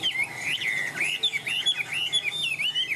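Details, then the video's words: Caged Chinese hwamei pouring out a continuous warbling song of clear, rolling whistled notes that rise and fall, rapidly linked with slight pulsing. "sách lồng hót 11 phút không nghỉ l Hoạt Họa Mi"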